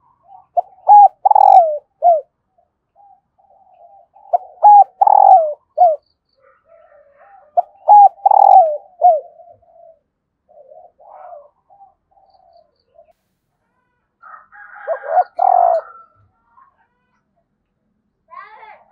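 A female spotted dove gives soft, low, mellow coo phrases in repeated bursts to stir a male.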